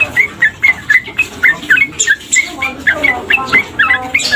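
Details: Tame male sooty-headed bulbul sounding off with rapid, evenly spaced chirps and short warbled notes about four per second, over a murmur of background noise.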